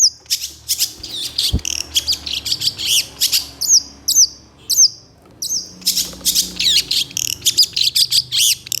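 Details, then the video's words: Long-tailed shrike singing borrowed phrases: high thin squeaky notes and quick chirps in clusters, with a brief low knock near the start. "KICAU CENDET GACOR EMOSI CEPAT DI RESPON PENTET JENIS LAIN, MASTERAN CENDET FULL TEMBAKAN KASAR"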